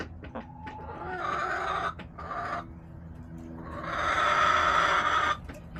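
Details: Backyard chickens, hens giving long harsh drawn-out squawks with rich harmonics, one around a second long and a louder one near two seconds, between brief clucks, over a faint low hum.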